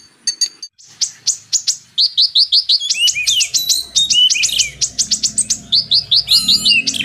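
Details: Kolibri ninja, the purple-throated sunbird, used as tutor song for magpie robins: a brief high trill, then a fast, unbroken stream of sharp, piercing chips and twittered slides, with faint low rumbling underneath.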